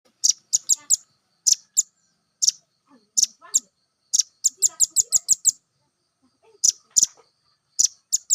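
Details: Velvet-fronted nuthatch song used as training material to prompt other birds to sing: sharp, very high chips in quick bursts of two to six notes with short pauses. Faint low clicks sound in between.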